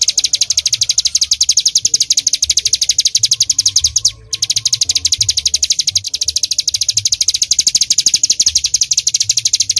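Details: Bar-winged prinia of the mountain type singing nonstop: a long run of quick, shrill, repeated high chips, briefly breaking off near the middle before resuming at the same fast pace, faint low hum underneath.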